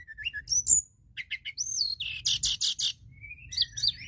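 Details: White-browed shortwing lure song meant to bring in other birds: rising whistles and slurred high notes, then a run of loud buzzy rattling notes and a thin rising whistle, all hurried and varied over a soft low hum.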